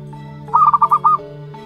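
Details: One-month-old zebra dove chick from local wild stock: a single burst of five fast, choppy notes lasting about half a second, with humming music continuing behind.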